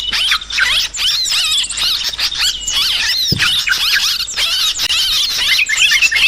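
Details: A busy chorus of sooty-headed bulbul calls for luring birds: many overlapping squeaky, warbling notes pour out almost without a break, and one brief low thump sounds midway.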